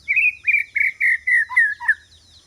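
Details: Lure song of a white-rumped shama, meant to draw rival birds: a steady series of about seven full, slurred whistled notes, each slightly lower, ending with two dipping notes; a faint insect-like hiss continues in the background.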